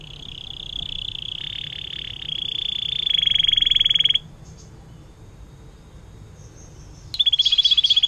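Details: Atlantic canary singing long 'air mancuran' song to tutor other songbirds: a four-second rolling trill rising in strength, a pause of near silence, then another sharp trill bursts in.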